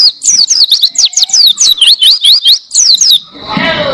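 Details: Oriental white-eye singing steadily, recorded as a tutor for training caged songbirds. Rapid, high, sweet twittering of slurred notes, about four to five per second, ends abruptly in a short burst of low noise.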